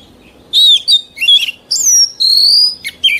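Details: Oriental magpie-robin, an old wild singer used as a tutor for young birds: after a brief quiet start, melodious whistles, including a long sustained pure note and a high rising phrase, with quick downward slurs.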